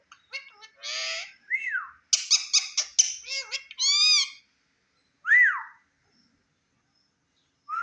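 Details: Indian ringneck parrot in front of a mirror indoors, producing bursts of harsh squawks and chattering notes mixed with arching whistled calls that rise and fall, separated by short silent pauses.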